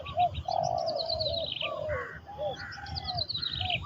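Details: Trained spotted dove kept as a decoy for ground luring in Thailand, with low, drawn-out, slightly wavering coos, while other birds add thin, high, descending chirping trills over a steady outdoor background.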